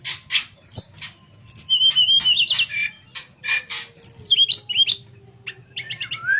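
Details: Sooty-headed bulbul's flute-like 'nyuling' song, a master recording for other birds to learn from: busy mix of wavering whistles, descending slurs and harsh chips, ending in a rapid twittering trill.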